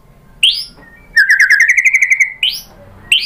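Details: Singing white-rumped shama, a lure to set other shamas singing: sharp upslurred whistles framing a quick rattling trill of about a dozen repeated notes.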